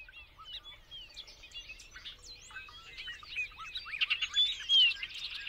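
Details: Bobolink, a member of the blackbird family, singing a rapid bubbling jumble of metallic, twangy notes and slurred whistles, mostly high-pitched, growing louder toward the end with one bright rising whistle.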